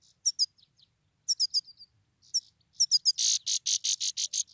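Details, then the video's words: A male Himalayan (grey-crowned) goldfinch that nearly died gives a calling series of high, sharp twittering notes in quick pairs and triplets, then a run of buzzy, harsh notes about four a second. "Позовка седоголовый щегол,самец"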